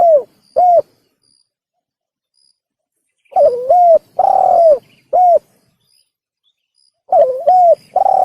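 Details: Spotted dove call used to lure game: short coos followed by full phrases of a wobbling start, quick coo, long downward coo and short end coo, repeated about every four seconds, close and clear.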